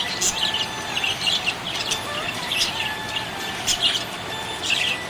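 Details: Contented budgie chirping: bright, clipped high chirps in quick runs, punctuated by louder squeaks, with a soft warbled undertone between the bursts.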